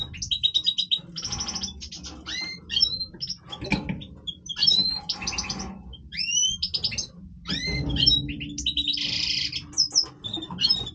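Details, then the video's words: European goldfinch, Major type, in breeding song, pouring out fast tinkling twitters, rising slurred whistles and harsh buzzy rattles in lively bursts over eleven seconds, with low room hum. "Stieglitz Major Breeding Voice - singing Goldfinch"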